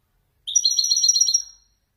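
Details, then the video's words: Wedani goldfinch from Morocco, caged, singing a Marrakchi-style phrase: about one second of quick, sweet twittering notes with a pure high whistle running through them, tapering off. Quiet background. "حسون ويداني يتفنن بالنزولات المراكشية الأصيلة"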